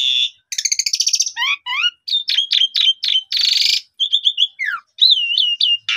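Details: Asian pied starling song: a fast, varied medley of high whistles, buzzy rattles, chattering bursts and squeaky rising notes, changing every half second, with no other sounds.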